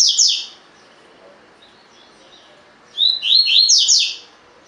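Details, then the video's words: Caged-bird training recording of a collared seedeater in the forceful 'tui tui' song style: the tail of one phrase, a pause, then a full phrase of rising whistles breaking into quick buzzy downslurs. "COLEIRO DE GOLA TUI TUI FIBRA"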